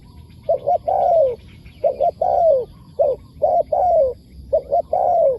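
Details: Spotted dove, a wild bird responding to a decoy, repeats a three-part coo about four times: two short hollow notes and then a longer coo that drops in pitch.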